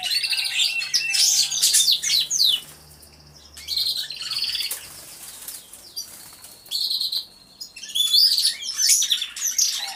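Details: Many canaries singing together in an aviary, recorded by a hidden camera: bursts of high, fast trills and whistled phrases that fade out twice into quieter pauses before the chorus resumes, with a faint low hum underneath.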